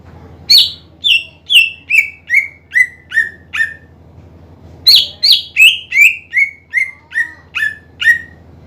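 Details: Greater green leafbird in full, lively song, used to provoke rival or silent birds into singing. Loud whistled notes fall step by step from high to lower pitch in two runs of about seven and eight notes, over a faint low hum.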